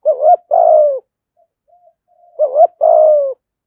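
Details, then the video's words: Spotted dove decoy in 'giọng thổ' style luring wild doves: two matching phrases, each a quick double coo followed by a long, slowly falling hollow note, separated by a soft pause. "Chim Cu Mồi Giọng Thổ, cu gáy giọng thổ gáy gọi bổi rừng & bổi nhà gáy theo"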